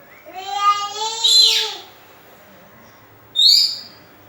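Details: Oriental magpie-robin song used to lure and stimulate other birds: a long harmonic note that slides down and ends in a harsh buzzy burst, then one high upslurred whistle after a pause.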